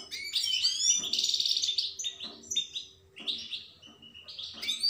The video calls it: Пение щегла. Щегол поёт.